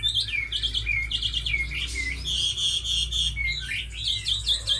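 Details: Tame Chinese hwamei, described as a strong fighter and sweet singer, repeats short clear whistled notes that slide downward, interspersed with rapid ringing trills, in a lively uneven rhythm.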